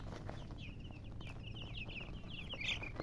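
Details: Baby chickens peeping: a run of quick, high, downward-sliding chirps building to a louder cluster near the end, over a low rumbling backdrop.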